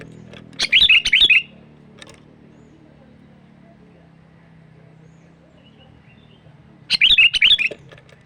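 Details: Sooty-headed bulbul calling as a lure for wild birds: a rapid phrase of five liquid whistled notes, a long pause over low steady hum, then a matching bubbly phrase near the end.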